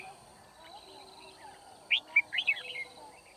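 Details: Red-whiskered bulbul singing at Kim Bôi during trapping on 9 February 2019, used as a decoy to call wild birds. After a quiet start comes one brisk phrase of four or five loud, sharp, up-and-down chirps with a softer trailing note.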